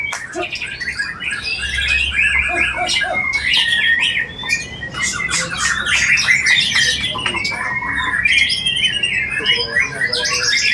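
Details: White-rumped shama in a bowing posture, singing a richly filled song of imitations: rapid varied whistles, trills and chattering notes packed between about one and eight kilohertz, loud and nearly continuous with brief dips.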